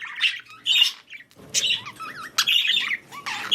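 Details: Budgerigars, mating and breeding: loud rasping squawks alternate with quieter wavy warbled whistles that rise and fall, in uneven bursts about once a second.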